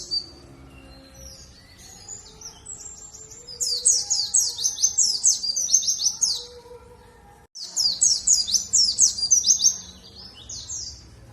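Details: Luring song of a warbling white-eye of the Dakun type, Bondowoso, East Java: soft high twitters build into two dense bursts of rapid, shrill descending notes with a brief break between them.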